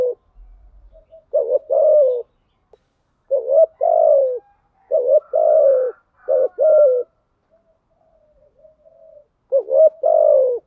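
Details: Cooing spotted dove used as a lure, delivering four phrases of a trembling double note followed by a sustained descending coo, with a soft drawn coo in the gap before the last phrase.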